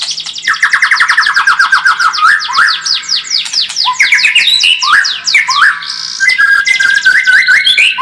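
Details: Rapid, dense white-rumped shama lure song, meant to make a bird more combative: continuous fast trills of sweeping notes, rolling chatter and bright slurred whistles, nearly unbroken throughout.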